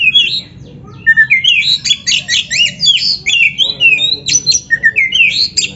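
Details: Oriental magpie-robin training song: a rapid, dense run of varied whistles, buzzy squawks and chattering notes, phrases repeated several times a second with few pauses.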